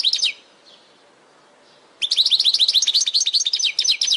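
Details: European goldfinch in a training recording for caged birds: a brief twitter, a pause, then a continuous, fast, high, liquid twittering song with rhythmic repeated tinkling notes.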